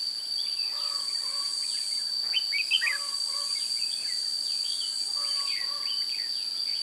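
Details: Red-whiskered bulbul lured by a decoy bird, 16 June 2017: clear repeated sequences of slurred whistles and steady lower notes, a louder cluster of notes near the middle, with constant insect shrilling behind.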